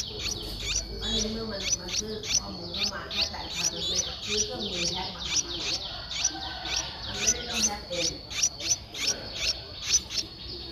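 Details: Nestling Streak-eared Bulbul, eleven days old, Thailand's Ubon Ratchathani on 13 April 2023; rapid, insistent high squeaky chirps, several per second throughout, with a continuous whining hum behind.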